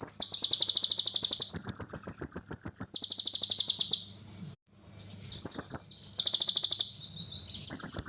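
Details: Kolibri ninja sunbird delivering fierce song material: bursts of very high, fast buzzy trills alternate with thinner high whistled runs, several phrases with brief pauses over about eight seconds, a faint low hum beneath.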